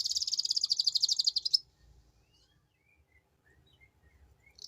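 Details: Canary singing a lure song in the ngeriwik style: a rapid, dense rattling trill at high pitch lasting about a second and a half, then near silence with faint chirps before another burst starts.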